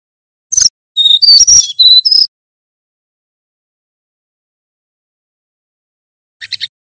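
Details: Flute-like nyuling song of a male brown-chested jungle flycatcher from Banten, kept as a tutor for training birds: one short phrase of a sharp chip then clear whistled notes jumping between pitches, followed by quiet and a faint final chip.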